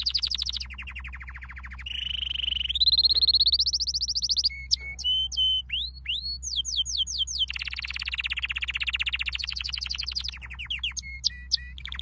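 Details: Varied canary training song: rapid trills at shifting pitches, clear whistled notes, sharp upslurred chirps and rolling tours in quick succession, over a constant low hum.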